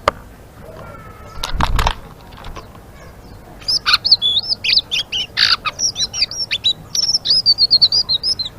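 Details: After a few low thumps and bumps, a blue-winged leafbird bursts into lively ngeriwik chatter: rapid, high, twisting squeaks and chirps strung into a continuous run.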